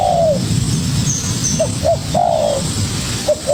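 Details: ['A young spotted dove challenging a decoy bird gives a long falling coo, two short hooted notes, another drawn coo, then short coos again, with faint high chirping overhead.']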